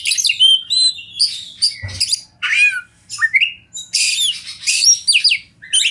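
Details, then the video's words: Wild Oriental magpie-robin, a champion singer, pours out dense high song: rapid rising and falling whistles, squeaky slurs and rasping notes in fast runs, broken by one brief low thump. "Masteran Kacer Juara Alam Liar"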